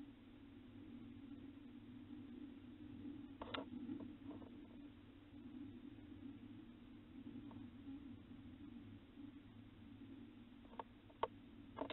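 A quiet, steady low hum runs throughout, broken only by a few sharp clicks and soft knocks, with no animal voice.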